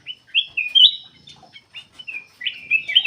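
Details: Black-capped bulbul singing actively, used as a lure for other birds: short, bright slurred whistles and chirpy warbles come in quick bursts separated by brief gaps.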